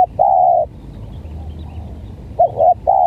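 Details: Spotted dove (tekukur) with an unusual voice, heard in a face-off with a stuttering lure bird: a long level coo, a short broken double note, then another long coo over a low rumbling background.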